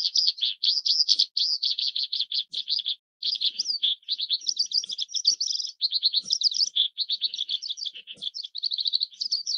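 An Oriental skylark pours out a long, fast, unbroken song of high buzzy trills and twittering notes, with only one brief pause.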